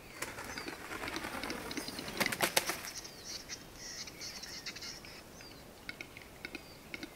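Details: Western capercaillie display at a lek in Mykland, Norway, in April 2019, early morning, with seven males present: dry, knocking clicks that quicken, wing flutters and scraping notes; faint high whistles of other birds behind.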